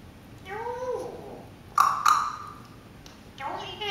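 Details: A pet parrot in its morning chatter sings the SpongeBob song: a sliding, voice-like phrase, then a bright sustained whistled note, and a final short rising phrase in a quiet room.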